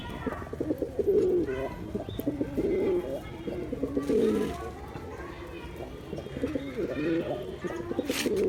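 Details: Male pigeon cooing repeatedly in low, bubbling phrases across several seconds, with other cooing and faint voices in the background.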